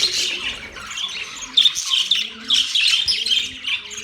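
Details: Budgerigars chirping in dense, overlapping chatter of scratchy, warbled notes and sharp squawks, with louder bursts near the middle and end and brief pauses between them.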